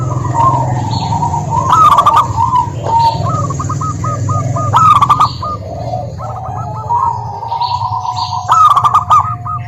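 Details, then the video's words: Local zebra doves sung as a lure to get silent birds calling: repeated loud staccato coo bursts alternating with rapid chains of short bouncing coos from several birds, over a continuous low hum. "Perkutut Malas Bunyi dijamin NYAUT GACOR LANGSUNG dengar pancingan masteran Kutut lokal ini"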